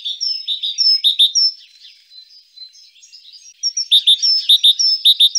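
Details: Great tit singing: bright two-note phrases repeated in quick, ringing runs, pausing briefly mid-clip before another burst of the same see-saw phrase; no other sounds.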